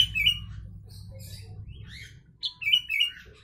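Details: Sooty-headed bulbul carrying Javan myna phrases in its song, for tutoring mynas and bulbuls. Bright, slurred whistles fall in pitch, with softer chirps between, ending in a loud three-note descending burst; faint low rumble at first.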